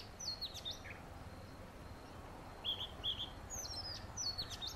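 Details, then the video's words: Male magpie robin gives sharp, high, falling squeaky notes and a pair of short whistles in quick, irregular succession against quiet background noise. "Magpie Robin calls"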